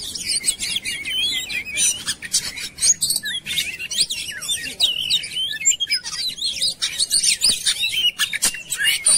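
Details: Lure song of an Oriental magpie-robin intended to trigger singing. Busy stream of sweeping whistles, sharp downslurred notes and scratchy chatter that continues almost without a break.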